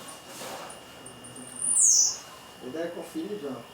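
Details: Blue-black grassquit singing in strong heat on a May morning. One sharp, high, buzzy descending note, followed by a man's voice speaking nearby.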